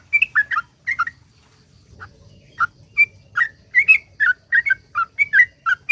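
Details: Sooty-headed bulbul in long 'ropel panjang' song intended to make other bulbuls sing: a few chirpy notes, a one-second lull, then an accelerating chain of bright, bubbling whistles roughly three per second.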